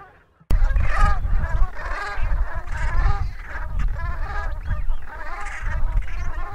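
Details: Flock of Brant geese (Branta bernicla) keeps up a steady chorus of overlapping low, rolling, guttural calls over a constant rumble of wind.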